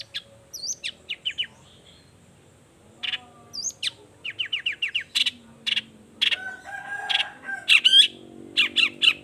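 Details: Energetic long-tailed shrike song used to provoke other shrikes into answering; quick runs of sharp ticking notes, harsh bursts and a few whistled slurs after a short pause.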